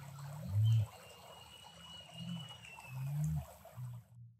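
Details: A male great curassow in Costa Rica gives deep, humming low booms, four in about four seconds, while a thin, high, drawn-out whistle runs faintly above.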